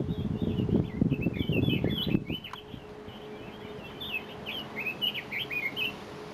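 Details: Red-billed leiothrix, a wild invasive alien bird on Mount Kanuki in Numazu, Shizuoka Prefecture, Japan: rapid, continuous warbling of slurred up-and-down notes, carrying on after loud rustling in the first two seconds fades, with a faint steady hum.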